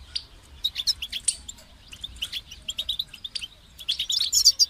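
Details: European goldfinch song: rapid run of sharp, high chips and twitters, speeding into a dense, tinkling trill near the end, over faint background hum.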